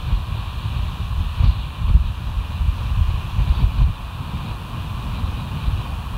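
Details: Early morning on 18 August 2023 at a bald eagle site, filled with heavy low wind rumble and steady hum, with no calls heard.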